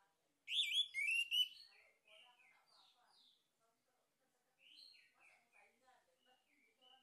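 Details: Lure recording of a male orange-headed thrush: a loud, rapid sequence of rich whistles and chattering notes, followed by quieter rambling warbles and mimicry-like twitters over near silence.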